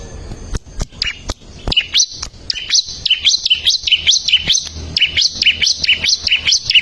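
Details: Bar-winged prinia song recorded for training caged birds: a long, lively series of high, two-part chirps that step down and back up, repeated steadily, with occasional sharp clicks.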